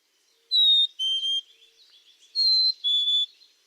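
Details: Black-capped Chickadee whistles its learned two-note fee-bee song, the form sung across most of its North American range: a higher note sliding to a lower one, given twice about two seconds apart.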